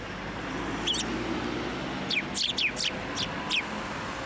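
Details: Sparrows flying onto a hand for food at a Tenmangu shrine on 10 December 2023: a run of about six sharp, high, downward-sliding chirps in the second half, over a low hum of background noise.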